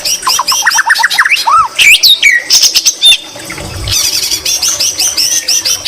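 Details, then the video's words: Energetic white-rumped shama with greater green leafbird (cucak ijo) mimicry: a fast string of looping chirps, a rich downward-curving whistle, harsh buzzy notes, then rapid high twittering. "Murai batu isian cucak ijo Gacor Mewah"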